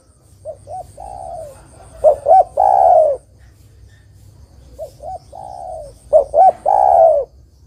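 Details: Spotted dove in lively song, used as a lure to attract other doves for trapping: low cooing phrases of two short hooted notes then a long falling coo, repeated twice, each followed by a softer phrase, with a faint steady high whine.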